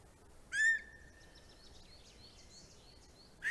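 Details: Greater spotted eagle at a nest in Estonia, captured by a nest camera on 9 April 2020: one sharp, clear whistled yelp holding a steady pitch, with faint high chirping in the background.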